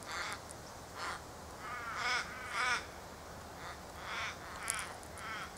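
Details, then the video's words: Australian ravens give about eight harsh, drawn-out caws, some wavering and nasal, at an uneven pace in the background over a soft steady hiss, while honeyeaters squabble at a sugar-syrup feeder in a native cypress tree. "you can hear Australian ravens in the background."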